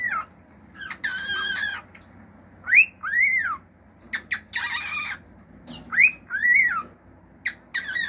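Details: Pet male cockatiel singing its natural song with fiu-fiu whistles and clicks, mixing harsh buzzy bursts with clear arched whistles that rise and fall, given in pairs, over a faint low hum.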